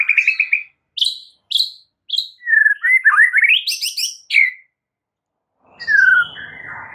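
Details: Masteran for stressed white-rumped shamas: a rich, varied song of short chirped notes with pauses, then a flowing run of twisting, rising and falling whistles, a gap, and a final slurred whistled phrase.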